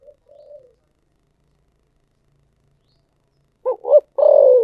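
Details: Cooing spotted dove, thổ sấm voice. A soft, low introductory coo, a long pause, then two quick abrupt notes leading into a loud, burred, drawn-out coo that drops slightly. Silence between.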